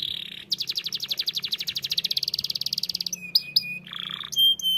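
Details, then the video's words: Energetic canary singing: a rapid, rattling trill of high notes, then sharp metallic chips and a lower buzzy phrase, closing with short, ringing high notes. "TERAPI BUNYI BURUNG KENARI GACOR!!"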